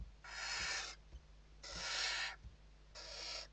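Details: Western barn owls in a nest interior in Spain during an evening feed, 29 November 2023; three long, drawn-out hoarse hisses, each near three quarters of a second, with light knocks and hum.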